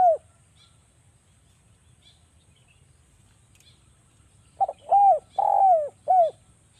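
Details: Javan spotted dove in a sharp, rapid calling style used as a lure to set other doves calling: one coo ending at the start, a long quiet gap, then a full phrase of two short notes, a rising-falling coo, a long coo and a final short coo.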